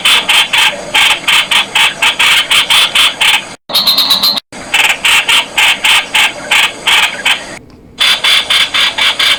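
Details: Streak-eared bulbul, known in Thailand as nok khot, giving loud, harsh, rapid notes repeated about four times a second, in bursts broken by short silences.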